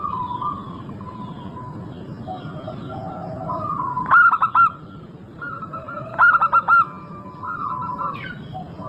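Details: Local zebra dove singing vigorously, used as a lure to make other doves sing: two loud bursts of four quick, rounded cooing notes about two seconds apart, over softer background coos from other doves and a steady low rumble.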